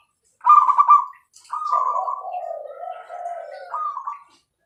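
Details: Zebra dove song: a loud trilled opening note, then a drawn-out lower wavering coo, closing with a short high trill, in clean quiet surroundings.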